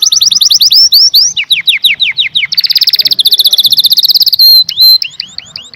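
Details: Canary singing close: quick downslurred whistles repeated in a run, a long fast buzzy trill, a steady whistle and further swooping notes.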